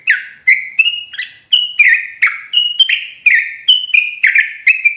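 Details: Sooty-headed bulbul lure for forest trapping, loud and clear: dense sequence of gurgling, chirpy notes alternating between higher and lower pitches in a bouncing rhythm.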